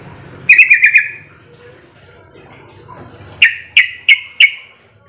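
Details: Yellow-vented bulbul call used as a lure to make other bulbuls answer: two quick bursts of four bright, bubbly chirps, each about a second long, with a faint low hum behind.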